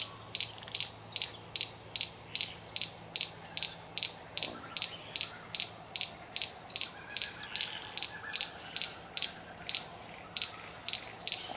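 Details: Satin Bowerbird performing at its bower, country garden, Victoria, Australia, 25 July 2024: a long steady train of clipped, buzzy double ticks about two and a half per second, with scattered high whistles and a faint hum.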